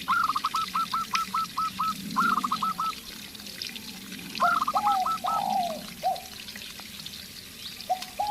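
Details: Loud local zebra dove producing strings of quick high staccato coos, three bursts in succession, with a spotted dove decoy adding deeper sliding coos in the middle and a low hum underneath.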